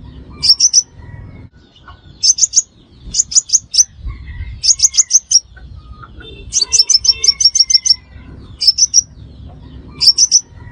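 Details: Crimson sunbird lure call for trapping: steady bursts of three to eight sharp, very high chips, roughly every second or two, over soft low rumble.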